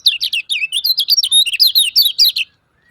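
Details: Lemon-bellied white-eye calling, used as a lure to set quiet birds singing: a rapid string of loud, high, slurred chirps, some rising and some falling, pours out for two and a half seconds before stopping.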